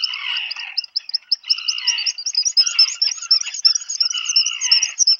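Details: Black guillemot pair at their burrow on Seal Island National Wildlife Refuge, Maine, USA, 27 June 2020, with food arriving for a chick: continuous fast high whistled twitter over drawn-out, lower buzzy wheezing phrases.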